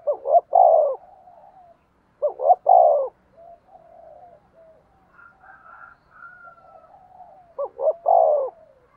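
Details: Decoy spotted dove dueling in coos to draw in wild doves: three low phrases of quick double notes and a long falling coo, separated by quieter trailing notes and a faint higher whistle.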